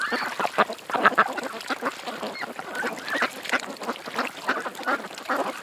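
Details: Creekside ducks chattering with rapid, overlapping quacks, loudest near the start, then a steady stream of shorter nasal calls.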